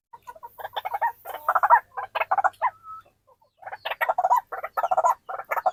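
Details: Captive white-breasted waterhens calling before feeding give loud, harsh, rhythmic croaking bursts in rapid series, with a brief pause midway before the chorus resumes.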